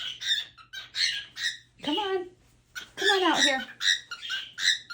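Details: A cockatiel honking at the laundry gives short, harsh honking squawks in quick bursts, with a person talking nearby.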